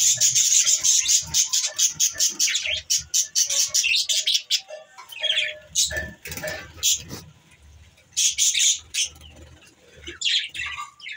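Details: A flock of wild budgerigars chirps in fast, bright, overlapping bursts, with faint music behind.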